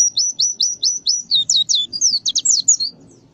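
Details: Canary song used as tutor material for white-eyes: a fast run of sharp, high, downslurred notes, then varied chirps and buzzy trills, loud and clean against faint low background.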